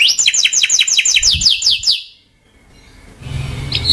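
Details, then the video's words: Timbrado canary song opening with about a dozen quick downward-sweeping chirps repeated in an even series, followed by a pause and faint low background rumble. "Timbrado canary singing beautiful melody"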